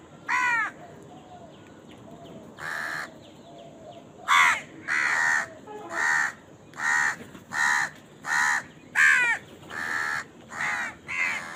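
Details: Crows fighting for food while eating: a spaced opening caw, then a steady series of about ten harsh caws roughly every half second to second.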